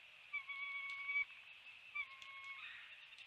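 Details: Bald eagle calling at a nest on a live nest camera, NEFL, 7:04 am on 29 February 2020, as a still-living fish is brought in. Two long, steady, whistled notes of about a second each, with a faint piping overlay, against quiet background hiss.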